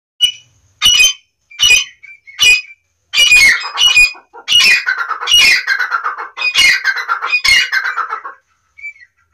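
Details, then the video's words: Francolin calling loudly: a run of harsh, grating squawks, first as short separate bursts, then running together into longer rasping notes, about eight in nine seconds, over a quiet background. "white teetar or kala teetar ki awaz"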